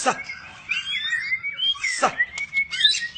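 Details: White-rumped shama singing: long clear whistled notes held near one pitch, some gently rising or falling, broken by sharp broadband clicks and a faint low background murmur.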